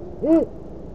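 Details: A nesting great horned owl pair in Oklahoma City exchanges hoots at night, 9:45 pm on 25 March 2013, the female calling toward the unseen male. One short, low, hollow hoot is heard, slightly arched in pitch, over faint background hiss.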